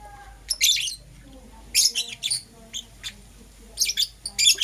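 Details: Harsh, buzzy squawks from Euwing green opaline and lutino lovebirds in the morning, uttered in grouped bursts of two or three notes separated by pauses of about a second.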